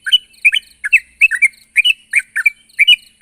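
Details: Sooty-headed bulbul in full voice, calling a rival: short bubbly chirped notes in quick pairs and triplets, slightly rising then falling, repeated roughly every third of a second with brief gaps, no other sounds.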